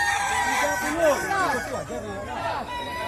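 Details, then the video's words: Kukuak Balenggek roosters competing in a crowing contest in West Sumatra, giving overlapping arched crows whose notes rise and fall in quick succession, with several birds calling at once and a murmur of people in the background. "Lomba Kontes Ayam Kukuak Balenggek, Suaranya Bikin Kagum"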